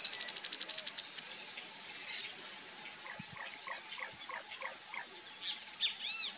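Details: A male Snail Kite, a hawk of swamps and aquatic habitats, likely in the Pantanal, gives a quick, dry rattling series of about ten harsh notes in one second. Soft chirps from small birds and a brief high whistle follow.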